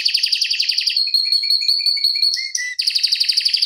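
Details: Long-rolling canary song meant for teaching other canaries: a rapid trill, a steady whistled tone over short low repeated notes, then a return to fast dense trilling.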